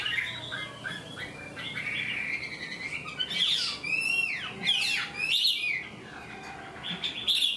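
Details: Caged Chinese hwamei, an untrained bird singing like a tamed one, moves from a sustained warbled whistle into loud swooping slurs and bright rising phrases.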